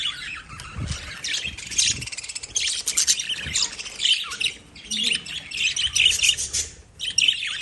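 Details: Lovebirds chatter loudly in busy bursts of shrill chirps and squawks with short pauses, several birds calling over one another.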